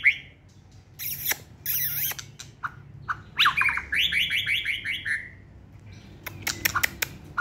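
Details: White-rumped shama, a caged competition singer held in the hand, delivering loud varied song: harsh buzzy bursts, a rapid run of rich falling whistled notes, then scattered sharp clicks near the end.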